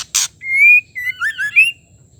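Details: White-rumped shama female calling to make a male sing: a click, then a long rising whistle and a quick run of swooping notes ending on a high slur.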